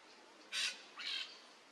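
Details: Peach-fronted parakeet (jandaia-coquinho) on a Brazilian treetop, two short grating squawks about half a second apart, the second slightly softer, against faint background hiss.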